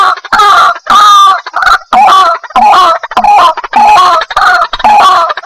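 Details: Loud, harsh, nasal croaks from a white-breasted waterhen, used as a lure for trapping, repeated almost continuously in rhythmic bursts of about two per second.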